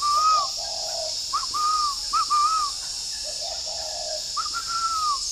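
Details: Caged spotted dove at a dove-breeding garden in Ba Vì, Hanoi, Vietnam, heard in the morning; praised as a full four-note caller with very dark neck spots. Soft, low cooing phrases repeat several times over a steady high hiss.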